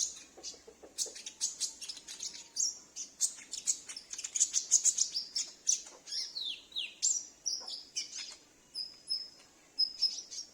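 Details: Captive sunbird used as a lure to prompt other sunbirds to sing and to attract wild ones: rapid, very high, thin chirps and short descending sweeps in dense bursts, with no other clear sounds.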